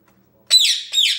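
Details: Ten-month-old male Indian ringneck, a pet indoors entertaining himself while playing; two grating, screechy squawks in quick succession, the first abrupt and strong, the second fading out, with little background sound.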